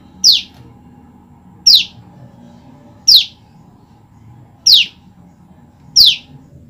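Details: Female olive-backed tailorbird repeatedly calling to its separated male mate: five loud, high notes dropping sharply in pitch, spaced about one and a half seconds apart, with a low background hum.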